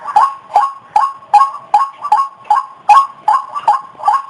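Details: White-breasted waterhen call used to lure birds into traps: strong, slightly nasal notes, each with a sharp onset, repeated steadily about two or three times a second.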